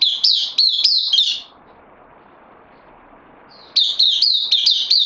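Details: Newcomer bulbul on loan, 12 September 2020: fast, clear chirped notes with flicking starts, a pause of roughly two seconds, then a fresh rapid burst of the same bright chirps.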